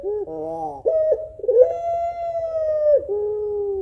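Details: A female African collared dove calls the male with a run of drawn-out mellow coos. A short buzzy note leads into a long, level hooting tone, which ends on a lower sustained note over a faint low rumble.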